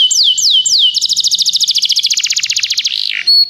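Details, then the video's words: Canary singing a training song for other canaries: three swooping downslurred whistles, then a long quick trill of repeated notes, ending in a sliding whistle. "O melhor canário canário para treinar seu canário"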